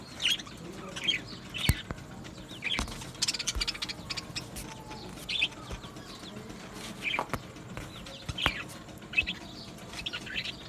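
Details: Aviary colony of Australian budgies chirping: short separate chirps and warbles spaced through the recording, some thin sharp clicks, and a constant low rumble underneath.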